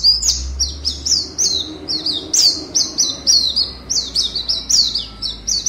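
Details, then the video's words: Caged Oriental white-eye contest bird from Pontianak, Indonesia, repeats short, high downward-sliding whistles about twice a second in a bright, regular series, with a soft low rumble underneath. "LOMBA PLECI ONLINE 52 - Aksi Pleci"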